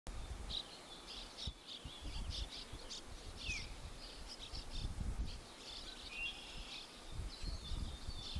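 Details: An Eastern Kingbird, a flycatcher, on the west side of a river beside apartments gives short, high, sputtering and buzzy notes in quick bursts over heavy low wind rumble.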